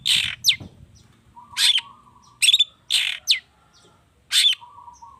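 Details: Long-tailed shrike, worked up and singing a song full of borrowed phrases to coax other birds to sing. Grating harsh bursts come every second or so, mixed with quick downslurred whistles, while a faint steady tone lingers between them.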